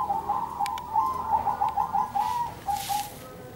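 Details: Zebra doves calling back and forth in a gentle song: a run of quick, soft, pulsed coos at one mid pitch, about three per second, then a brief pause and a few more coos, with a short rustle.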